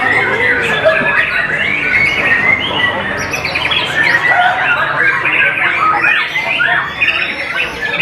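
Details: White-rumped shama singing a busy, rapid medley of short chirps, trills and whistled slurs that tumble over one another without pause, with a faint low hum underneath.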